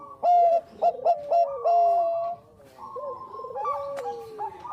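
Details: Zebra dove of the Bangkok type, played as a lure: a run of four or five clipped, loud coos followed by a drawn-out note, while fainter doves keep up rolling, wavering coos behind.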